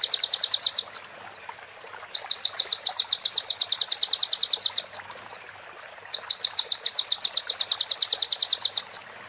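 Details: Crimson sunbird (konin) song, clear and original with pauses, with prenjak and ciblek phrases: long, rapid, high chipping trills lasting several seconds each, broken by single thin notes.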